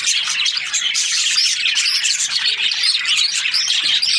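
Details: Budgerigars, kept as breeding pairs, fill the air with loud, overlapping high-pitched chirps and warbling chatter from many birds.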